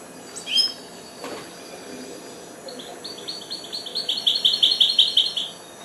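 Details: Young goldfinch hybrid, four months old, starting to sing: after a couple of sharp isolated notes, a fast, accelerating series of bright high chirps builds over the last few seconds.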